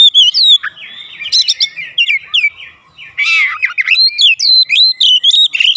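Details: Oriental magpie-robin (kacer) singing in the loud, open 'gacor ngeplong' style, used to stir birds kept at home into answering: a rich mix of clear whistles, slurred rising and falling notes, and sharp chips in quick, irregular succession, with no other sounds.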